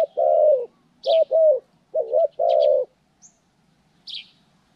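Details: Spotted dove in a trapping training session, January 14, 2020, giving low husky coos in quick pairs, a long note, a doubled note and a long tail note, while small birds twitter faintly in the background.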